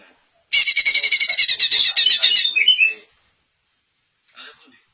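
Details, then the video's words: Greater green leafbird singing to draw answers from other leafbirds. A sudden burst of rapid, harsh, chattering notes, close to four per second, lasts about two and a half seconds and ends in quiet, with one faint sound later. "Cucak Ijo Anda PASTI AKAN NYAUT dengar Suara KICAUAN MERDU TERBAIKNYA INI"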